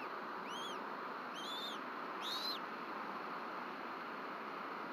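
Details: Bald eagle at its Rome, Georgia nest on an evening in late March 2024, as both adults return and pass fish to their chick. Three clear, arched whistled notes, each rising then falling, sound over steady broadband hiss.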